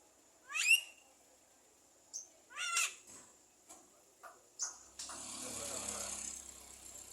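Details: A Javan myna known to mimic speech and coughing makes steep rising sweeps and scattered clicks, then a long hissing, noisy rush in the last two seconds.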